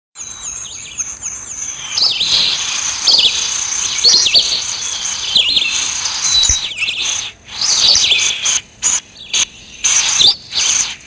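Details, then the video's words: Sparrow described as black, calling in natural surroundings: high, rapid chirps and twittering notes in bursts, some rising and falling, with short gaps of silence between phrases toward the end. "Balck sparrow with# 🐦‍⬛ 🐦‍⬛🐦‍⬛🐦‍⬛#Natural sound"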